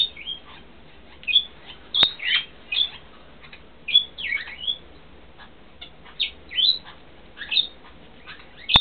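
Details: A bonded pair of 3-4-year-old Vosmaeri eclectus parrots trade high, squeaky chirps and short whistled notes, about a dozen in nine seconds, with a couple of sharp clicks; the female laid her first egg in March, which was infertile.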